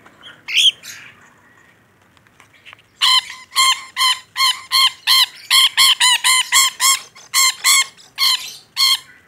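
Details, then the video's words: A vocal rainbow lorikeet opens with a short screech, falls quiet for two seconds, then delivers a long irregular series of about twenty loud, ringing squawks. "Suara Burung Nuri Pelangi Gacor"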